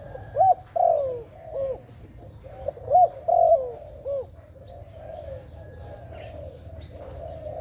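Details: Dove calling with a run of short, arched, rippling coos, some stretched into longer notes that slide downward, grouped over about four seconds before fading into a softer, steady trilling murmur; low hum beneath.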